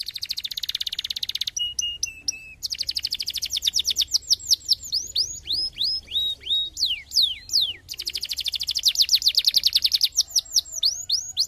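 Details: Canary song used to stimulate singing: fast high trills alternating with descending whistled sweeps and a low steady note, over a faint low hum.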